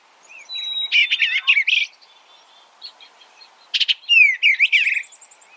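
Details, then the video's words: Eastern bluebird with two bursts of quick, tumbling warbled notes about three seconds apart, plus faint, thin, sustained high whistles in between. "Suara Burung Eastern Bluebird - Eastern Bluebird Bird Sound"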